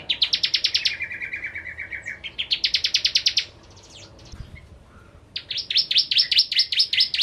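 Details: Bar-winged prinia singing hard, a lure song for kept birds: rapid high chirp bursts broken by a lower, even buzzy trill, a pause with a few soft notes, then an accented run of chirps.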